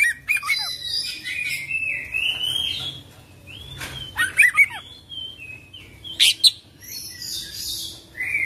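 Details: An Oriental magpie-robin delivers a 'full isian' song of scattered arching whistles and sharp harsh bursts, softer passages between louder notes, with a light low background hum.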